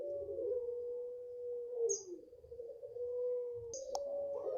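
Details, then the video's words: Five-month-old puter pelung, a Barbary dove, from the keeper's own garden, holding a low, even, sustained coo with a short dip midway, the long voice continuing; two sharp high chirps from other small birds break in. "SUARAPANJANG PUTERPELUNG"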